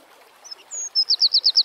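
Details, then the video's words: Opening of a Eurasian wren's song: a couple of thin high whistles, a drawn-out pure note, then five or six rapid ringing notes repeated in quick succession. "Birds Singing - Eurasian Wren"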